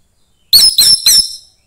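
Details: Young orange-headed thrush from the forest giving three bright, very high chirping notes in quick succession, clean and close.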